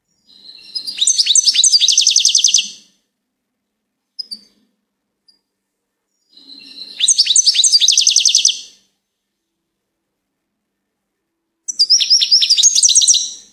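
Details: Three phrases of goldfinch song, each a lively, high, jangling twitter of closely packed notes about two seconds long, with brief faint chips between them.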